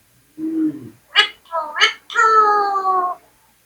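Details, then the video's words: Talking Indian parrot, kept as a pet indoors, voices a short low syllable, then two sharp bursts and a long nasal, harmonic-rich drawn-out word, clearly mimicking speech in a quiet room. "Men Tota Men Tota mithu mithu Best Talking Indian Parrot"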